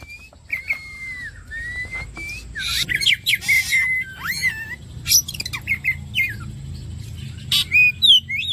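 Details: Oriental magpie-robin song used as bait to get another kacer singing fast: drawn-out wavering whistles, then dense harsh scratchy bursts interleaved with quick bright whistled notes.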